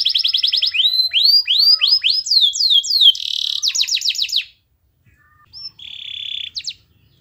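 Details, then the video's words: Canary master song to make other canaries sing: quick repeated notes and descending swoops, a buzzy trill, a pause, then a short buzzy phrase. "MASTERAN KENARI GACOR Yang Lain Agar Ikut GACOR"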